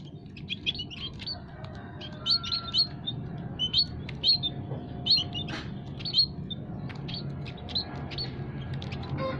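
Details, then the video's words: Several munia kinds in an aviary, recorded as a trapping lure: lively bursts of high, slightly buzzy chirps in quick clusters, separated by short pauses, with a faint low drone underneath. "burung emprit kaji,emprit peking,emprit jawa full masteran kicau pikat paling ampuh"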